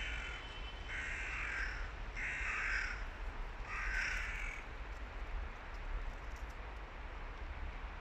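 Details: Adult hooded crows quarrelling as young birds listen: three rasping, hoarse caws roughly one per second, each lasting about half a second, followed by quiet low rumble.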